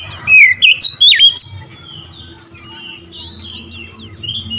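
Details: Oriental magpie-robin singing to provoke rivals into song: a short loud flourish of swooping, slurred whistles in the first second and a half, then quiet, thin warbling phrases trailing off over a soft background hum.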